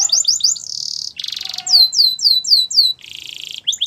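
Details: Yellow canary's morning song: quick trilled notes, a short buzzy roll, a series of five clear swooping downslurred whistles, another buzzy rattle and closing chirps.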